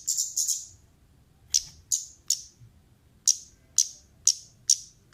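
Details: Female orange-headed thrush lure calls: a fast burst of sharp high chips, a pause, then single clear chips spaced about half a second apart.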